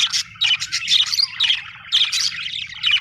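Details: Budgerigars chirping happily: dense, busy bursts of high warbled chirps and squeaky notes, overlapping and irregular, with short pauses between phrases and a faint low hum underneath.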